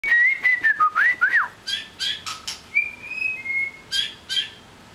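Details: White-rumped shama singing: clear whistled notes and slurred rising-falling phrases, then sharp clicks and a long level whistle, with varied phrases over a faint background hiss.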